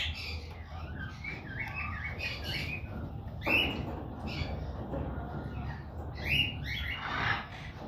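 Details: Pet quaker parrot (monk parakeet) making noises: soft scratchy chirps and murmured chatter broken by a few sharper squawks, with a low hum in the room.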